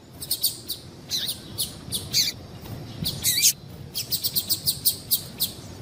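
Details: Calls of a female yellow-bellied seedeater, meant to stir males into song: dense, high-pitched chirps mixed with a few slurred, buzzy notes, ending in a run of evenly spaced short chirps repeated about every quarter second.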